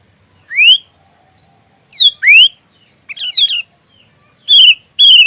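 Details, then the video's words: Sooty-headed bulbul song for training magpie robins, given as scattered notes: rising whistled slurs, a falling sweep, a short chattery burst, and two steady whistled notes, separated by silent pauses. "suara kutilang isian Kacer"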